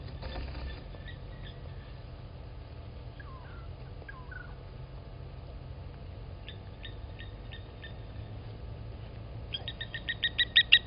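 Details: Blacksmith lapwings protecting their nest as an impala approaches at Gowrie dam waterhole, Djuma Game Reserve, Sabi Sand Wildtuin, South Africa, 27 August 2020, 15:07; sharp metallic clinking notes in quick series, loudest near the end, over steady low rumble.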